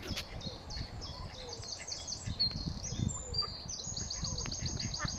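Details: Nine mallard ducklings on their first swim with their parents, April 15 2022, at Smithspool, Fenton, Stoke-on-Trent; faint, high peeping notes run in quick series over a steady low outdoor rumble.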